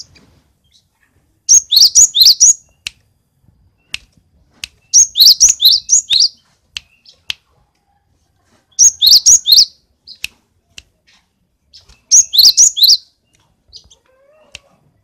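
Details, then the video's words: Cinereous tit (gelatik batu) from Roban, Subah, Batang, described as very vocal with a song full of varied phrases; four bursts of rapid, high, sharp chirping notes, each about a second long, spaced roughly three seconds apart in a quiet room. "Gelatik batu isian se abreg,super gacor"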